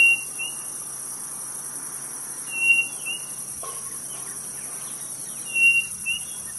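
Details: Quail called codorniz in northeast Brazil: level whistled notes, each followed by a short slurred note, heard three times, with a continuous shrill cricket chorus in the background.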